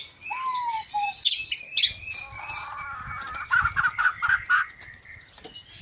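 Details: Aceh Leuser white-rumped shama, caged at an Aceh bird farm in Indonesia: low slurred whistles and sharp high notes, wing flutters, then a run of five evenly spaced mid-pitched whistled notes.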